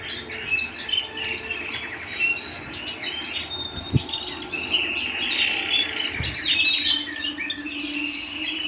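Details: Canary singing at home, an unbroken, varied warble of quick trills and piping notes, interrupted by two dull thumps around the fourth and sixth seconds.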